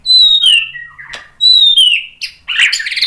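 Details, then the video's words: White-rumped shama song used as a lure: a high, clear whistle sliding downward, repeated twice, ending in a harsh, noisy burst. "SUARA MURAI BATU biar EMOSI NYAUT jadi GACOR BONGKAR MATERI ISIAN | PANCINGAN MURAI"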